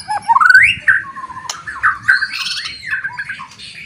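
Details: Loud song of a white-rumped shama, meant to provoke other shamas into fighting: rising slurred whistles and squawky notes, varied phrases over a low background hum.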